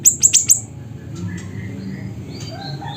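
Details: Siri-siri bird in Aceh, Indonesia, singing: four rapid, high, sharply falling chips, then a pause with faint other bird whistles and a single closing chip.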